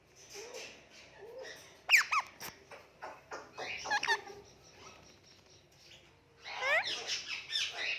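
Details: Indian ringneck parakeet producing cute noises and talking, with sharp clicks, rising whistled sweeps and chattering phrases, then a longer warbling burst near the end.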